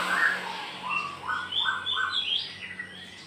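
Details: Aceh white-rumped shama in full song with tail spread: a string of short whistled notes stepping upward, each held briefly, over a steady background hum.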